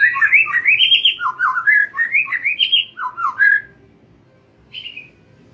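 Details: Lure song of the White-rumped shama for training young and forest-caught birds; rapid series of looping, up-and-down whistled notes for about three seconds, then quiet with one short descending whistle.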